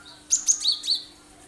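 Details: Cinereous tit in lively song with sharp 'shot' phrases, a lure to make other birds sing and imitate; four bright, high notes at about a fifth-second spacing, each with a quick downward flick.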